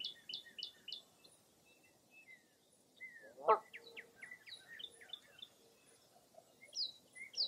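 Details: Several wild birds calling together at dawn in fog, early April, at Mirror Lake State Park, Wisconsin: bright chirped phrases, a loud rasping note midway, then scattered whistles and trills.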